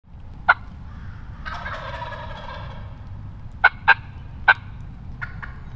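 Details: Wild turkey hen yelping: a single sharp note near the start, a longer raspy, wavering call, then a spaced run of three to four quick, clipped yelps with a fainter pair at the end.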